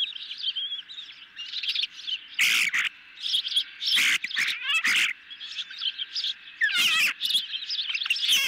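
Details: Night feeding at an osprey nest, 10 July 2021, medium-sized fish for hungry birds: high chirps broken by loud rustling and scraping bursts, with a few rapid trilled squeals among the clatter.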